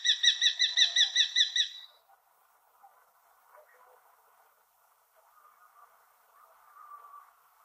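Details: Wittlicher Tal, 2018: a common kestrel gives a quick burst of about nine sharp, high repeated notes, followed by near silence with faint low background rustling.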